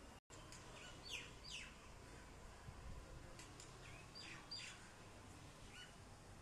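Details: Common myna in a terrace garden, giving sharp descending chirps and short whistled notes in scattered bursts over steady low background hum.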